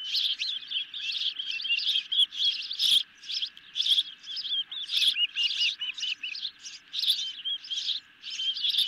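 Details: Hungry ospreys calling at their nest during a late-night feed of a medium-sized fish, 10 July 2021, nest camera. Loud bursts of high, piercing chirps come in clusters roughly every second, with brief gaps between them.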